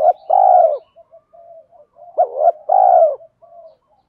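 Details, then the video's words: Spotted dove cooing for stimulating birds in training, from cocks and hens. A long mellow coo, faint low murmurs, then a phrase of a short rising note, a hoot and another drawn-out coo. "Tiếng chim cu gáy THÚC GÙ Gáy Gọi, nhiều bài vở(tiếng chim cu gáy kích bổi hiệu quả)"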